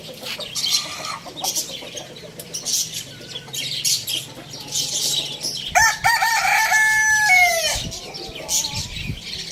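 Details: Rooster crowing loudly near the end: a two-second crow starting with a sharp rise, holding level, then falling away, after several seconds of high chirping from a flock of small birds.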